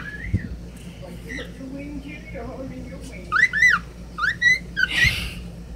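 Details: Pet cockatiel singing indoors while a person coaxes it to say "pretty birdie": soft warbling, then loud rising-and-falling whistled notes in quick pairs, ending in a harsh burst, with speech nearby.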